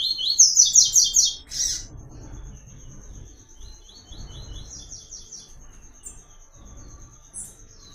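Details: White-collared seedeater, locally papa-capim or coleiro, singing the melodic "Tui Tui" style for song training: a loud, rapid cadenced burst of high notes in the first second and a half, then softer distant phrases and a constant high tone.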